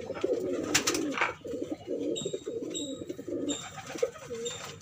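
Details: Many pigeons gathered at the start of the first pigeon race of 2021 coo together in a dense, continuous, low warble, with sharp clicks and a few high tones on top.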